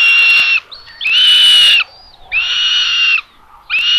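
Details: Common buzzards at a nest in Tiszalök, Hungary, on a solar-powered live nest camera, 27 May 2022, as the mother brings lunch to the third chick; harsh, buzzy, drawn-out calls repeat about every second, with thin whistled notes between them.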